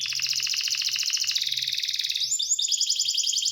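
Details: Canary producing a long fast rolling trill of evenly repeated notes that shifts into higher sharp rising-falling notes near the end, over a steady low humming background.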